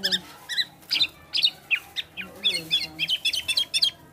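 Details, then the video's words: Male black-naped oriole mimicking other species: a string of short squeaky downslurred chirps, becoming quicker and more crowded toward the end. "Gocor Aneh Kepodang Emas,Bisa Menirukan Suara Burung Lain."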